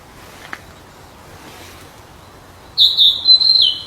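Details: Wild flycatcher singing: after nearly three seconds of quiet background hiss, a single high, clear whistled phrase begins, wavering and slightly trilled, lasting about a second to the end.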